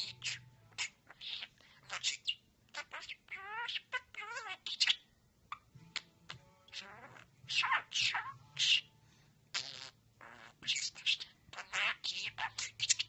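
A budgerigar chatters rapidly, mixing scratchy clicks and chirps with squeaky, speech-like imitated words.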